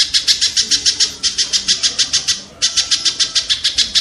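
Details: Kingfisher used as master training audio for songbirds: a fast series of harsh, buzzy notes, about three to four per second, with a short pause midway before the series resumes.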